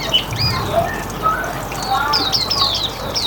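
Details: Hume's white-eye in riwikan style, a lure for other birds: scattered thin whistled notes, some rising, some sliding down, with brief twittering bursts toward the end against a low rumble.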